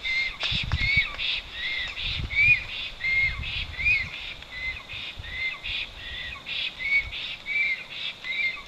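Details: Black stork arriving at its nest in Poland's Notecka Forest on 12 August 2022 after two days away, calling loudly; a run of short upslurred whistles repeats roughly once a second, with harsher bursts and low thumps beneath.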